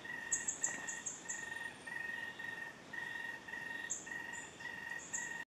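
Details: Alto Pisones (Tatamá) Tapaculo, an undescribed endemic Scytalopus near Apia in Colombia's Western Andes, gives a steady run of short, mid-pitched notes, about three a second, under high, sizzling, insect-like buzzes.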